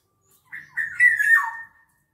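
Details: Black-naped oriole singing actively: a short fluty whistled phrase of slurred notes that rise, then drop in a rich liquid descending sweep at the end, with a faint low hum beneath.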